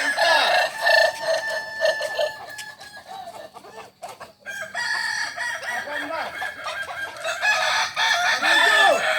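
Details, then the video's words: Kokok Balenggek roosters at a practice crowing match in Ampang Kualo, Solok city. Many roosters crow in long, layered, stepped phrases, briefly pausing near the middle before another wave of arched crows resumes. "ayam kukuak balenggek"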